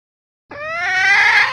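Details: Female red junglefowl calling for a male. A single drawn-out note with stacked harmonics slides slowly upward and grows louder over about one second.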